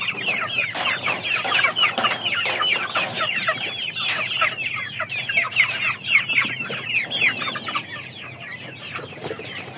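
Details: Chickens from a flock of Aseel, Oshamo and Ganoi breeds: a continuous chorus of shrill, downward-sliding peeps from several birds, overlapping rapidly and steady throughout.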